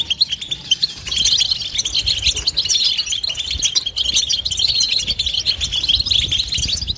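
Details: Dense unbroken goldfinch twittering with no pauses, a thick wash of overlapping high tinkling chirps and trills that blur into a steady chattering stream, with low background rumble.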